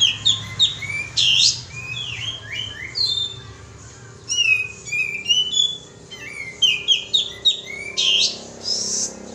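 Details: Lure call of the sooty-headed bulbul, a busy run of sweet, sliding whistled notes and chirps, some rising and some falling, in uneven bursts with brief harsh hissy noises between.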